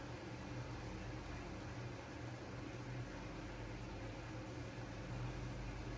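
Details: Quiet indoor hum like a fan or air conditioner with steady hiss, and no animal sounds.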